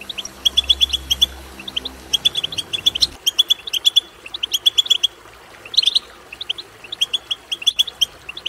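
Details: European goldfinch twittering, a bout used to stimulate another goldfinch to sing: bright, rapid chirps in quick clustered bursts with short pauses, over a low hum that stops after about three seconds.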